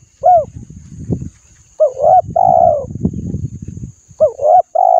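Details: Repeated coo phrases from a spotted dove, played to spur other doves to coo: several arched, hollow hooting notes in quick groups, each closing on a longer note, over steady low thumping and rustling noise.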